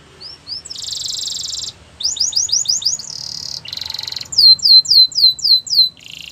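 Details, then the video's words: Canary training song: alternating buzzy rattles and quick rising chirps, then a clean series of high falling slurred whistles, ending in a lower buzzy trill. "The most popular canary training | Play now, your canary will sing a lot"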